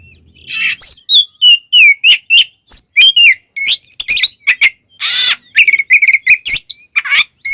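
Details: Richly varied song of a white-rumped shama, used to provoke rival shamas into singing: rapid series of clear whistles, sweeps and trills, with a harsh burst midway and a chattering close.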